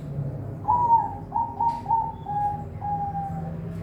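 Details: Perkutut, the zebra dove, raised at a bird farm in Semarang, Indonesia: a series of gentle, level coos that slowly lower and soften, ending in longer, drawn-out notes.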